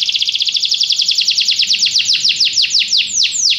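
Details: Singing canary delivering a steady rapid trill of high repeated notes that gradually slows and turns into wider, downward-swept syllables near the end.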